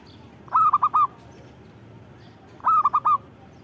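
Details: Local zebra dove (perkutut) singing actively: two short cooing phrases of four mellow notes each, the first note rising then three quick dipping coos, spaced about two seconds apart over faint background hiss.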